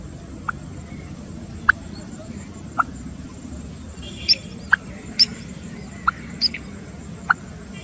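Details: American coot giving short, sharp, clipped notes at irregular intervals of about a second, some sounding squeakier and higher than others, against a steady background hiss.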